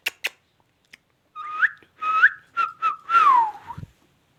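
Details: Indian ringneck parakeet talking with a few sharp clicks, then a series of whistled phrases that rise and hold level, ending in a long, bright note sliding steadily downward.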